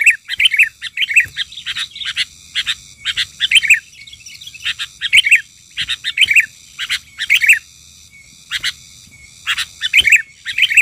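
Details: An enraged sooty-headed bulbul during bird-trapping, lured by a call, sings agitated bursts of bubbly, chattering phrases about once a second over a faint steady high-pitched ringing.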